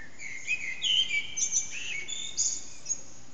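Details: A Eurasian blackbird, unseen, sings its early morning song around 4:30am in an echoing backyard: short fluted phrases ending in high, thin twitters, with a soft steady hiss of background noise.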